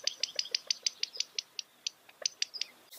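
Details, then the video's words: A California quail gives a quick run of sharp, high chips, about five or six a second, loosening into an uneven pace before stopping. "California Quail Bird Sound, Bird Song, Bird Call, Bird Calling, Chirps"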